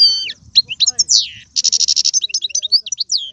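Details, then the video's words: European goldfinch singing Algerian tiwawati, galoubi and serfati phrases: slurred high whistles, then a dense fast rattling trill and twitters, with low murmuring in the background. "مقنين طيواواطي قالوبي و سرفاتي"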